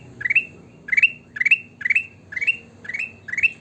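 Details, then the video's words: A sooty-headed bulbul singing actively gives short, bright, rising whistled phrases, seven in under four seconds, about two a second, over a low background hum. "burung kutilang emas gacor"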